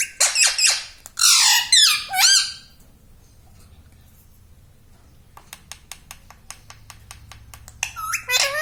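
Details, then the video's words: Talking pet parrot, described as saying "Mummy", "Papa" and its own name: loud, harsh, harmonic word-like bursts at the start, then a quiet stretch of light rapid clicks, ending with another strained vocal phrase. "Talking Parrot || Mummy Mummy"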